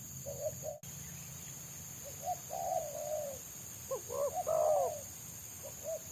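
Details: Spotted dove in the wild, singing its rapid 'selang nguku' style while a lure dove tries to coax it down. Muted coos, then a louder stuttering phrase ending in a rolling coo; constant high hum throughout.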